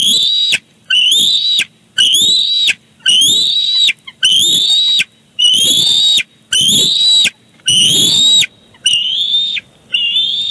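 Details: Nest of bald eagles at Big Bear Lake, 18 July 2019, as the father arrives with fish for the chick's dinner: loud, regular high squealing whistles, about one a second, over ten seconds, with scuffling between calls.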